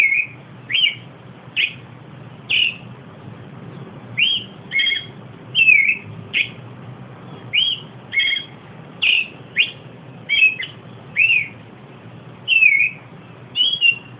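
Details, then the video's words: Zorzal patagónico, the Austral thrush, delivering a long run of varied short whistled phrases, clear and slurred notes alternating, roughly twenty phrases spaced under a second apart, light background hum. "El Zorzal Patagónico."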